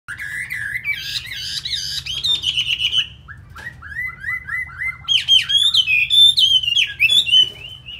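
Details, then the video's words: Chinese hwamei from Hanoi, Vietnam, a loud-singing bird billed as a good fighter. Rich whistled song of sliding, warbled phrases, loud at first, a quieter stretch mid-way, then bright rising and falling notes resume. "Họa Mi thuộc to đấu tốt"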